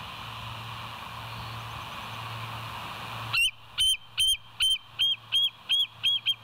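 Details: Bald Eagle on a West End nest cam, 25 September 2023 at about 7:00; three seconds of hiss and hum, then eight evenly spaced, loud, high piping notes about two per second.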